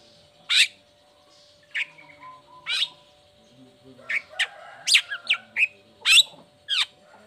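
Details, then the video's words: A long-tailed shrike sings as a lure for lazy or moulting shrikes after its cage cover comes off. Spaced, sharp high notes are followed by a quicker run of piercing chips and whistles, with a faint low hum throughout. "Cendet Gacor Buka Krodong Pancingan Khusus Buat Cendet Loyo Malas Atau Lagi Mabung Agar tetap Bunyi"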